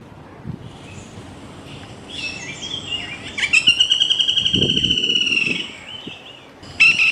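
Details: Black-rumped flameback, also called Lesser Goldenback, giving its rattling-whinnying call: a fast, rather even series of sharp, harmonic notes held at one pitch for about two seconds, a shorter burst at the end, over soft background hiss.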